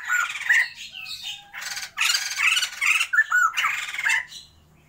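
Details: Sumatran white-crested laughingthrushes, a caged pair being bred, give raucous chattering bursts broken by bright whistled notes, with about two seconds of loud cackling near the middle before it fades out.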